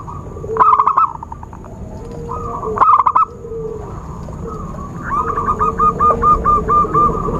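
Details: Zebra dove sounds meant to attract birds for trapping. Two strong bursts of fast, stammering coos are followed by a long, regular series of bubbling coo notes, with quieter whistles underneath.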